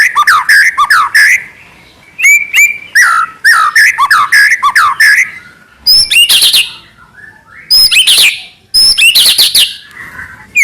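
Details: White-rumped shama in full, rich song, played to goad other shamas into singing: dense, continuous phrases of slurred whistles and scratchy notes, varied in pitch, with short breaks between bursts.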